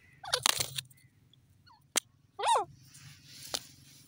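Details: Grey francolin, known locally as teetar, giving harsh, nasal, stacked calls: a rapid burst near the start and a single bent note later. Sharp clicks sound between them over a steady low hum.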